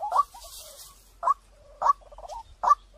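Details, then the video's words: Lure recording of a white-breasted waterhen, its clear voice giving four sharp, evenly spaced notes with faint low trilled murmurs between them, over a quiet background. "เสียงนกกวักต่อ2020 เสียงใสเข้าเร็วมาก"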